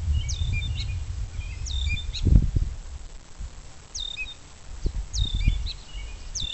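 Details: Gray catbird, banded, working on its song by copying other species; brief high squeaky phrases with a sharp upslurred note and a lower chip come in uneven bursts, with low rumbling background noise and occasional thumps.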